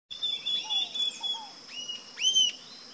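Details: Rufous-tailed jacamar giving sharp, arched whistled notes in the second half, preceded by a run of thin high twittering from other birds, with a steady shrill insect drone throughout.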